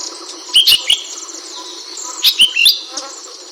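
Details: Ashy bulbul (Hemixos flavala) master-bird chirps: a quick run of three sharp bright notes, a pause of over a second, then another triplet, with a continuous high hiss underneath.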